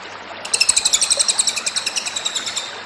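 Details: Short burst of cililin tutor song: after a half-second lull, a quick, loud trill of high, crisp notes repeated several times a second, gradually weakening toward the end.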